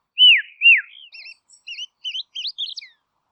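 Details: Tasmanian dusky robin: two loud, arching whistles that fall away, then a brisk series of six or seven short upslurred and wavy notes, growing higher toward the end.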